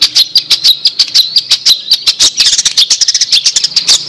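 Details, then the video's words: Long-tailed shrike, called a fighter bird, chirping fast: dense runs of short, sharp, high chips at about three per second, with loose, uneven rhythm and no other sounds. "MASTER BIRD CHIRPING THE LONG TAILED SHRIKE"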